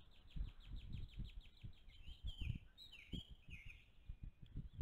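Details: Five-week-old bald eaglets at their nest on 28 April 2023, late morning, as food is brought in: thin, high chirps repeated in quick series through the clip over steady low rumbling noise.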